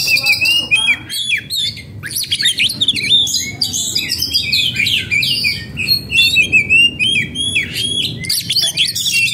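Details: Kept oriental magpie-robin, in breeding condition and agitated, singing continuously: a busy jumble of piercing whistles, quick sweeps and chattering notes with hardly any pause, over faint low background noise.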